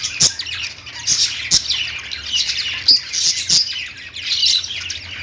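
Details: Chirping lovebirds: squeaky, buzzy twitters in short rushes, broken by several loud clicks, with the chatter continuing unevenly to the end.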